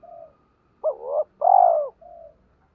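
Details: Spotted dove decoy bird calling to provoke and lure wild doves: a soft low note, then a two-part coo with a rising first phrase and a long, loud, steady second note, ending in a quiet short note.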